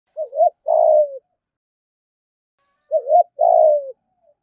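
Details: Spotted dove giving the urging "thúc gù" coo, described as a fine voice that quickly draws rivals to fight: two phrases, each a short wavering note then a longer, smooth, slightly falling coo, about three seconds apart, in silence.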